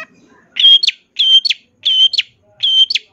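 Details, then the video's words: Long-tailed shrike singing a champion's fill-in song for tutoring birds: four identical phrases, each a buzzy steady whistle ending in a sharp upward flick, repeated about every 0.7 seconds. "MASTERAN SUARA BURUNG CENDET FULL ISIAN CENDET JUARA"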